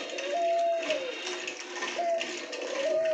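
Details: A captive male diamond dove, kept as a pair with a quieter female, gives soft, drawn-out, level coos, three in about three seconds, over a steady wash of background music and room noise.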